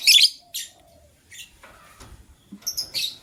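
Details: Lovebirds, gray and yellow-green, chirping in the morning, a gray bird preparing to lay eggs: a loud rasping chirp, a shorter echoing one, quiet shuffling, then a cluster of high squeaky notes.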